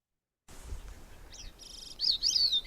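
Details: A single Gray-cheeked Thrush sings a high, thin phrase: a few scattered notes, a brief buzzy burst, then bright, wavering, slurred whistles that overlap. Its syrinx makes two sounds at once, so it seems like two voices.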